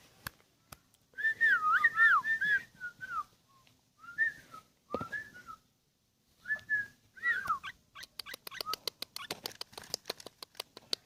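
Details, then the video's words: Ten-year-old sooty-headed bulbul singing a quick warbled whistled phrase, then scattered short whistled notes with pauses between them, followed by a run of dry ticking clicks at the end. "HEBOH BURUNG KUTILANG DENGAN USIA 10 TAHUN"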